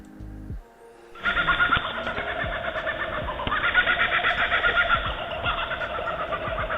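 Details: Laughing kookaburra (Dacelo novaeguineae) gives its laugh, a loud, rollicking cackle of rapid, harsh hoots rising and falling in bursts, with faint music in the background.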